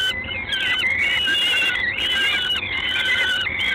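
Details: Peregrine falcon recorded in Gdańsk, Poland, at the LOTOS site, evening of 3 June 2016: continuous grating, strongly harmonic whining calls, long notes sliding slightly in pitch and running almost without pause against a constant noisy background.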